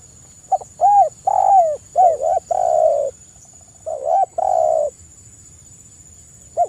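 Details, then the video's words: Spotted dove singing actively, meant to prompt other doves to answer: a series of mellow arched coos in two bursts separated by a pause, some notes held and slightly wavering, with a constant high-pitched electronic whine behind. "TEKUKUR GACOR suara merdu"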